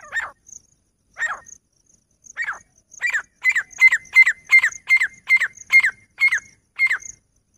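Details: Female grey francolin, the desi teetar of the jungle, calling: loud harsh ringing notes, first spaced over a second apart, then speeding into a rapid run of repeated notes about every half second, fourteen in all, against a quiet background.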